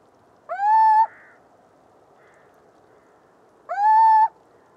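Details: Little owl (Athene noctua) singing: two drawn-out, upward-sliding mellow hoots, each swelling then levelling off, about three seconds apart against a quiet background.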